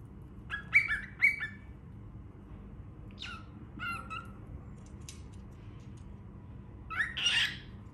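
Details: Baby cockatiel calling: a few scattered short harsh chirps and squawks with gaps between them, the last one louder and noisier.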